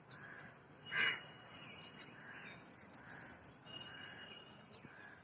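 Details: Oriental magpie-robin, national bird of Bangladesh, giving short, sharp whistled notes with one harsh, rasping burst, over a steady insect-like hum and faint background noise.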